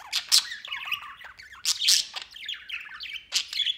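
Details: White male pet budgie out of its cage at play, sometimes flying over it: busy warbled chatter broken by loud harsh squawks near the start, mid-clip and at the end.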